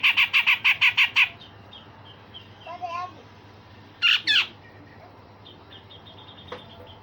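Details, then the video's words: Grey-cheeked bulbul singing rough 'besetan kasar' phrases and sharp 'tembakan tajam' shots, used for training songbirds: a fast run of about eight harsh notes, then a soft warble and a loud double note. "Cucak jenggot Besetan Kasar dan Tembakan Tajam"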